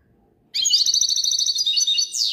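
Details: A European goldfinch pours out a dense, fast run of high, liquid twitters and chirps that ends on a quick falling note, with no other sound.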